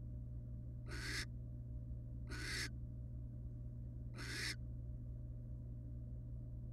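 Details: Wild barn owl family resting together in a nest box: three harsh, breathy hissing screeches about 1.5 seconds apart, each roughly a third of a second long, over a steady low electrical hum.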